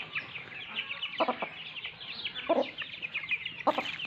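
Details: Mother hen of the Lasani breed calling her chicks: soft clucks at intervals over a steady wash of high peeping chick calls.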